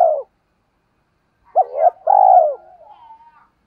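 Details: Decoy spotted dove's luring call aimed at wild doves. It ends one coo, pauses, then gives a hooked, wavering double note and a drawn-out level coo trailing into soft, thin notes.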